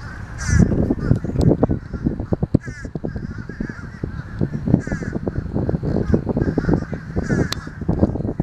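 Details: Fish crows give short, nasal calls every couple of seconds over a heavy low rumble and scattered clattering noise.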